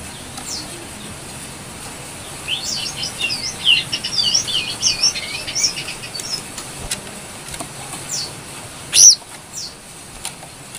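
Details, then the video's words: Brown-throated sunbird song used as a training lure: a faint run of sharp, high, twittering chirps lasting about three seconds, then one louder high note near the end over quiet background hiss. "Pancingan burung kecil nembak,Jongkangan gacor"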